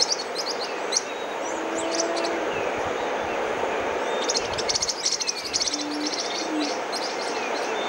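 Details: Yellow-faced Parrotlets, a critically endangered Peruvian endemic, at Balzas in the Marañon Valley of northern Peru, give bursts of sharp, high, chattering chips in rapid clusters over steady hiss and a faint low engine-like hum.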